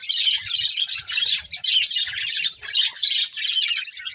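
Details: Budgerigars from a family flock chirp in bursts of fast high twitters, each lasting about a second with brief dips between, over quiet low rustling.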